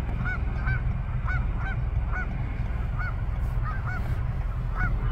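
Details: Canada geese at twilight calling: short rising-falling honks repeated irregularly, roughly one or two per second, over a steady low rumble of background noise.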